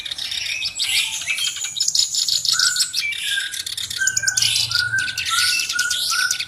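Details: Black-browed reed warbler, kept as a tutor bird, delivering a fast scratchy jumble of high buzzes and chips, then a row of short repeated clear whistled notes toward the end.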